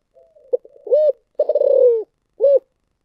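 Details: Spotted dove calling in thổ sấm style: faint low lead-in notes, a sharp short note, a smooth sustained coo, a long throbbing rolled coo that drops in pitch, then one closing short coo.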